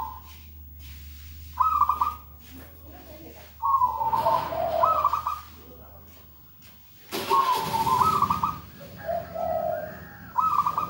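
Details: Local zebra dove singing, recorded for use as a lure and training song: several rolling, trilled coo phrases, each a high burst dropping to lower purring notes, with steady low hum and a loud rushing noise burst midway.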